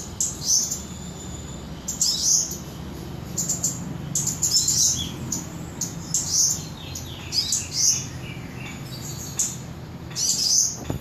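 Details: High-pitched twittering bursts from a Cabai gunung in Samarinda, Indonesia, short sharp chirps grouped in quick phrases every second or two, faint low hum in the background.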